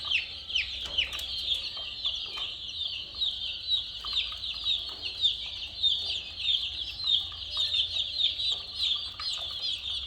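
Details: A flock of coloured chicken chicks gives a continuous shrill peeping chorus, each brief cheep dropping in pitch, with the mass of calls rising and falling in waves.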